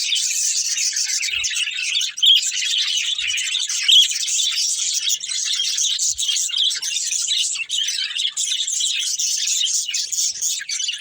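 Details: A family of budgerigars chirping as they play: an even, continuous blanket of thin high twitters and chips, with many voices overlapping and a few faint taps.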